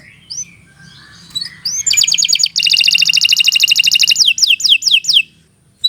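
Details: Canary singing a master song for young songbirds to learn: soft scattered chirps, a rising whistle, a dense fast trill lasting about two seconds, then several slurred downward whistles.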